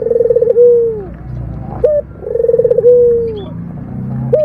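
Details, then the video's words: Local puter dove purring: a pulsing, rolling trill ending in a smooth downward-sliding coo. Two phrases with a short sharp note after each, against a quiet low rumble. "suara puter lokal mendengkur"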